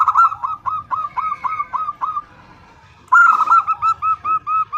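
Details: A female zebra dove calls for a male: a series of evenly spaced, slurred coo notes, a brief silence, then a louder run of similar rhythmic notes.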